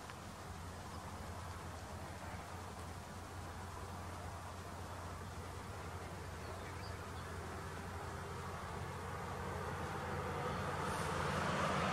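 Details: No calls from either raptor, only a steady low hum under a wind-like rushing noise that grows louder toward the end.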